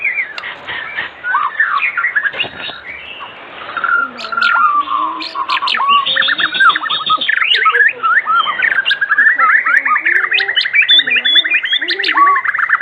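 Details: White-rumped shama singing actively in the afternoon, used as a lure to prompt other shamas to sing; long rich medley of whistles, rising slurs and squeaky notes, ending in a rapid trilled run.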